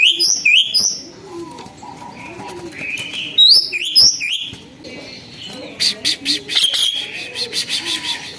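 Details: Myna that turned tame and vocal, giving looping whistled phrases in two bursts, soft quieter whistles between, and a final stretch of harsh rasping chatter.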